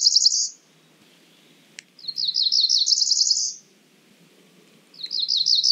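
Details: Song of a cerulean warbler: a rapid string of high notes rising from lower to higher pitch and ending in a thin buzz. Phrases come about three seconds apart, with a faint click between them and little other sound.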